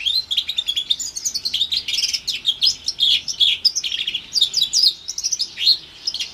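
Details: About four months old, an orange/brown house finch x Timbrado canary hybrid from 2021 sings a continuous, rapid, high warbling song of tumbling chirps and trills with no pauses.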